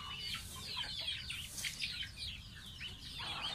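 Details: Young domestic goose kept as a pet, bathing: rapid overlapping high-pitched peeps, many falling in pitch, run without pause through the short stretch with a steady low hum beneath.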